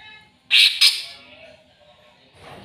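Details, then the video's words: Greater green leafbird worked up against a rival, giving two loud, explosive, buzzy rasps in quick succession, then a fading low murmur. "CUCAK IJO CARI LAWAN!!!bikin cucak ijo emosi"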